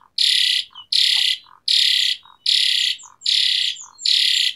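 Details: Asian pied starling delivering loud, harsh, buzzy rasps about every three quarters of a second, six in all, each followed by a short low note, as lure song for birds that have stopped singing.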